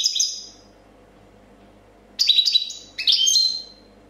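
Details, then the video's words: European goldfinch, a 2014 competition champion in copia style, giving brief bright twittering phrases separated by a long pause of near silence. "Chardonneret chant copia champion 2014"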